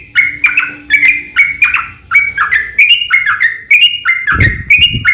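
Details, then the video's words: A yellow-vented bulbul in fighting song, long 'ropel' chatter used to make other bulbuls reply. Quick bubbly notes repeat several times a second; a faint steady hum early on and a low thud near the end. "KICAU SUARA trucukan gacor TARUNG ROPEL PANJANG"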